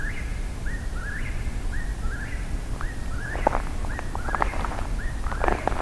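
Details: Eastern whip-poor-wills calling at night on a hike, giving rhythmic, whistled 'whip-poor-will' phrases over and over, each ending on a sharp upward lift, against a low night rumble and a few footstep thumps.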